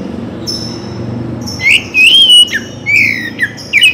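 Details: Oriental magpie-robin singing for morning and evening play: faint high buzzy notes, then a series of bright whistled slurs, rising and dipping, separated by short pauses.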